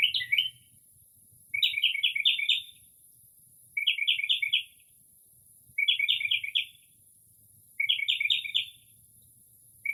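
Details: Northern mockingbird in early spring, singing near midnight and copying other birds: rapid buzzy trilled bursts about a second long, repeated every two seconds, against a quiet rural-sounding night.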